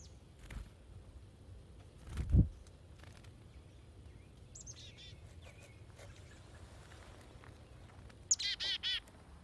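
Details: Chickadees at feeders, some hand-fed; a short series of buzzy, harmonic dee notes, then a louder burst of several rapid dee notes near the end, with thumps and faint background noise.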